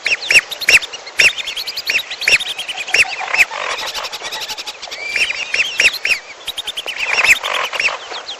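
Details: Mixed lure recording of lesser whistling ducks and piolo birds for bird trapping: many high whistled notes overlap in a busy flock chorus, with strong arched whistles roughly every half second.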